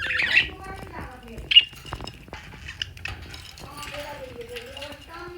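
A budgerigar chatters, mixing sharp squawky chirps with a wavering, talkative warble.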